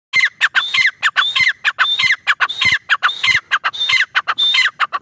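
Grey francolin giving loud, harsh, repeated phrases with squeaky rising notes, cycling quickly at over one phrase per second, with nothing else heard.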